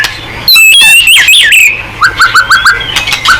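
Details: Gacor white-rumped shama used to prompt other birds to sing: a loud burst of high whistles and slurred notes, then a run of short upslurred whistles repeated about five times a second.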